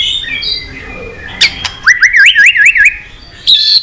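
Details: White-rumped shama singing a long song to provoke fighting, with tail-snapping: soft whistles and sharp clicks, then a rapid zigzag trill of rising and falling notes, ending in a bright high phrase.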